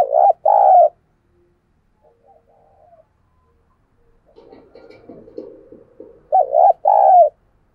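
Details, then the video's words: Decoy dove calling wild birds with a loud doubled coo, a soft faint murmur, some low rustling noise, then another doubled coo, the pair of notes repeating. "Chim Cu Mồi Thúc Gù Và GÁY Gọi Bổi Nghe Siêng Gáy"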